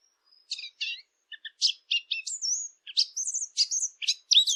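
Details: Bird chirping: separate high, sharp tweets and short twittering phrases come in quick succession, some notes rising, with short silences between and no other sounds.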